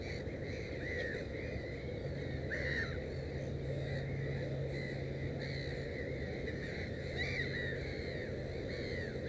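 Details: Black-headed gulls around a nest holding three chicks, giving scattered short, rasping, down-curving calls at irregular intervals against a constant low hum.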